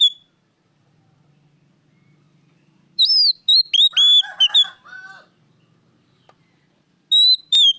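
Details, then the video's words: Oriental magpie-robin singing loudly, used as lure song for caged birds: bright whistled notes mixed with a rapid, lower, harsher chattering burst in the middle, then a short whistled phrase after a pause. "pancingan Kacer gacor suara keras plong"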